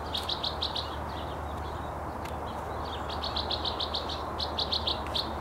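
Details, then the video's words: A Bewick's wren sings along the Yakima River on March 8, 2012: two quick series of high, sharp repeated notes separated by a short pause, over a steady low rumble of traffic. "Singing Bewick's Wren"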